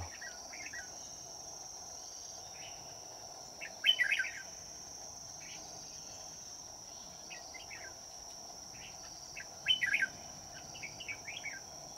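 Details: Red-whiskered bulbul at a trapping site on a day turning cold, a caged decoy singing fighting song to lure wild birds: short bright warbled phrases near seconds four and ten, scattered softer chirps between, over a steady high insect whine.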